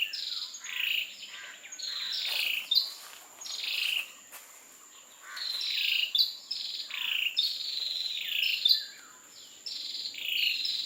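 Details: Ashy tailorbird in Singapore giving an unusual call, unlike its usual ones: a scratchy run of high squeaky notes in bursts of one to two seconds, with a steady thin insect whine throughout.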